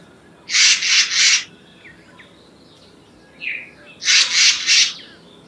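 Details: Black-naped monarch giving harsh, rasping calls: two bursts of three scratchy broadband notes each, about three seconds apart, with faint soft chirps between them.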